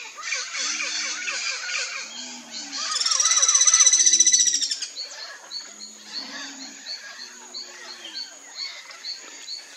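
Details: Guira cuckoo (anu-branco) warning the careless ones in its group: harsh scratchy calls, then a loud piercing rattled trill lasting about two seconds, followed by rapid repeated chattering notes.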